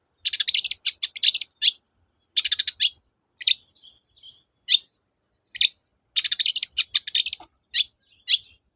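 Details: Long-tailed shrike singing steadily to prompt silent shrikes to sing again: dense bursts of scratchy, buzzy chatter in rapid clusters, broken by brief pauses and a few isolated harsh notes, with a clean, quiet background.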